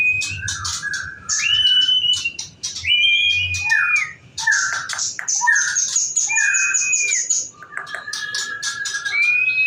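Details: Song of a female murai kept as breeding stock for champion birds: varied whistled phrases that slide up and down, mixed with bursts of high chirps and a long thin whistle, with short pauses between phrases.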